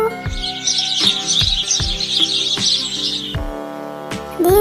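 A sparrow gives a dense run of quick, high chirps for about three seconds over steady background music with a regular beat.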